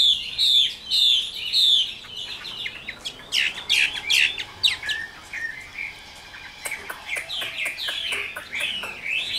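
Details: Chinese hwamei, a mature wild-caught Tam Hoàng bird noted for its fine voice, opens with three repeated ringing slurred phrases, then breaks into varied sharp notes and softer twittering runs.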